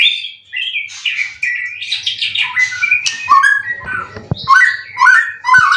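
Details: Competition white-rumped shama in Indonesia, caged and three times moulted, singing a varied run of whistled slurs, scratchy chatter and sharp clicks, in loud broken phrases.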